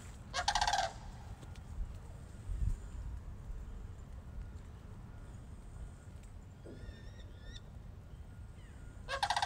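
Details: Sandhill cranes, two visiting Moosewood, give one rolling rattle near the start and begin another at the end; between them, faint thin whistles from a small bird and low rumbling noise.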